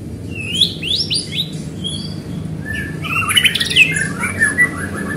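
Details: White-rumped shama singing to draw other shamas into song: sweet whistled phrases and rising notes, then a louder cluster of sharp, buzzy and trilled notes, with low steady hum behind.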